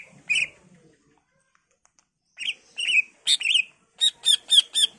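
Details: Greater green leafbird song used as a lure for other leafbirds to reply: scattered whistled and slurred chirps, then a fast burst of harsh buzzy notes about four per second.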